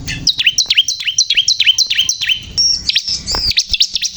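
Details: Ciblek kristal, the bar-winged prinia, singing vigorously: a run of evenly repeated high notes that drop steeply, then a switch to a flat high whistle and quick jumbled chirps.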